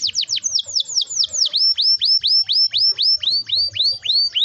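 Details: Canary song played to encourage young canaries to sing, with quick falling whistles that give way to a measured series of rising, hooked whistled notes about four per second.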